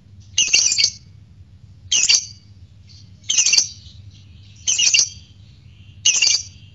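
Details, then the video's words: Lovebird sounds meant to trigger courtship arousal and singing: five loud, raspy, shrieking bursts, each about half a second, repeated at a steady pace of roughly every 1.4 seconds over low background hum. "Pancing Birahi Tes Latah Fighter Lovebird Ngegek"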